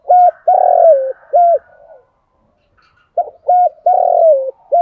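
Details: Spotted dove decoy bird cooing to provoke wild doves: two phrases of short clipped notes and one long buzzy note falling at its end, separated by a second of silence, with soft faint chatter behind.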